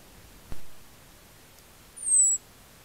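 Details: European robin visiting a winter feeding station in farm countryside at Rottanova di Cavarzere (VE), recorded by a trail camera while feeding; it gives one soft click, then one thin, very high, slightly falling whistle lasting under half a second.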